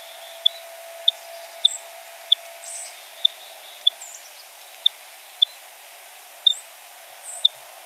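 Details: Purple finch (Haemorhous purpureus) flight calls: short, sharp, high 'thick' ticks given roughly every half second to second, quiet but carrying far, over a faint low hum.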